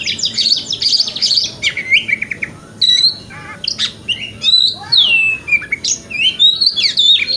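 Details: Male white-rumped shama singing in the morning to stimulate another shama to open its tail: rich whistled phrases, rapid trills, sweeping slurred notes and short buzzy bursts in varied sequence with brief pauses.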